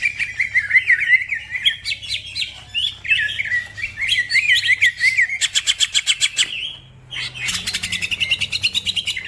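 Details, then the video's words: Fast, energetic song of a green leafbird that gets other birds singing; jumbled chattering phrases of squeaky chirps, then rapid buzzing trills with a brief pause before a final rattling burst. "The green cucak bird makes noise, other birds also become gacor"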